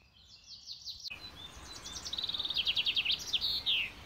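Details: Common chaffinch singing in riverside floodplain forest: a bright, rattling run of quick notes that speeds up and drops in pitch, ending in a sharp downward flourish, with another brief high phrase just before.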